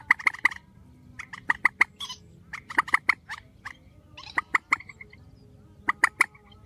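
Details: Spliced grey-headed swamphen calls: loud gobbling series of clipped nasal notes in several groups, with a few buzzy squeals between them.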